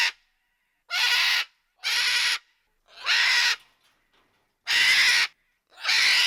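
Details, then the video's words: Macaw calling: loud, harsh, broadband squawks about half a second long, given singly with gaps of roughly a second, five in a row in a quiet setting. "The sound of a macaw"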